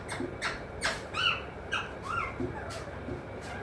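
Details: A pet talking parrot, known for saying mithu, mummy and papa, utters rapid, uneven squawks and short bent notes, several in quick succession, then quieter clicks and bursts.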